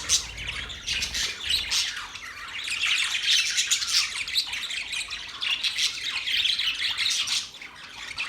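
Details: Steady stream of parrot chatter, grating squawks and quick chirps overlapping, easing briefly near the end.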